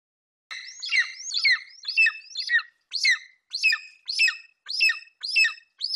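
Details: Young male golden eagle at a nest in Bucovina, 27 July 2021, vocalizing over a Eurasian hare his mother brought in. High, whistled, downslurred calls repeat almost twice a second in a steady series, with no other sounds.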